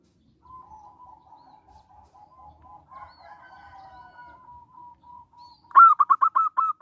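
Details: Zebra dove, local bird, calling as a lure for other doves: a long run of soft, quiet cooing notes, then a sudden loud burst of rapid, evenly spaced coos.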